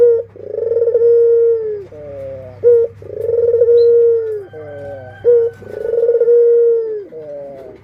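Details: An adult Barbary dove kept with its chicks gives long mellow coos, each ending in short stepped notes. The pattern repeats three times at an even pace against a faint hum.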